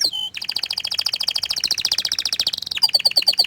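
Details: An orange frost canary sings a brief whistle, then a long rapid rolling trill, followed by a few clear, ringing notes.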